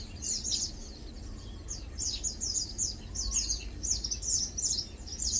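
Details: Lowland white-eyes chilling, feeding and preening utter bright, very high chirps in short groups of two or three, steady through the recording over faint low rumble.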